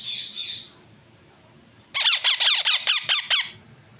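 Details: Yellow ringneck parrot chicks: after a soft hiss, about eight harsh, rasping squawks in a rapid, regular run, each with a falling tone.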